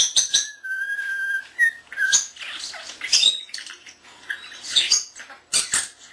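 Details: A pet Common starling under a year old, recorded April 7, 2010, talks and whistles: a jumble of whistles, clicks, sharp high beeps and harsh bursts, mimicking a camera's beeps and barking sound, lovebirds, cockatiels, speech and the "Hi Ho" tune.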